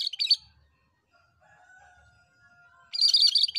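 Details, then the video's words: Cucak kerinci bulbul in vigorous song: a short scratchy chatter at the start, a long quiet gap with faint low tones, then another loud burst of squeaky, jumbled twittering at the end. "BURUNG KURINCI ‼️MASTERAN BURUNG KERINCI GACOR DURASI PANJANG"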